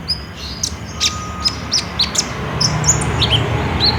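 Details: Olive-backed sunbird in full, active song, in the trotol style, used as a lure to prompt another kept sunbird to answer. It gives thin, very high sharp chirps and short whistled notes about twice a second, with a low background hum.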